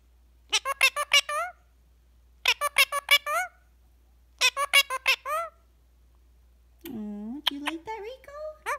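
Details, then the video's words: A pet Indian ringneck parakeet chatters while relaxing with its owner: three bursts of rapid, scratchy, squeaky syllables about two seconds apart, then a woman's soft voice mixed with further squeaks. "Talking Parrot says “Tickle, Tickle” in the cutest way"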